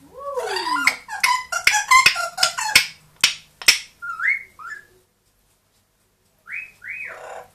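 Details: At home, a two-year-old grey parrot and a one-year-old Amazon parrot: a downslurred whistle, then rapid harsh squawks and clicks, a pause, and two rising-falling whistled notes.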